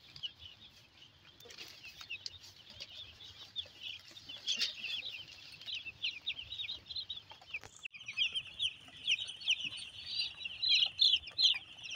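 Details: Broiler chicks in brooding on a farm at Nagariakandi, Narsingdi, giving a dense flock chorus of high, shrill cheeping notes, rapid and overlapping, growing louder and busier in the second half.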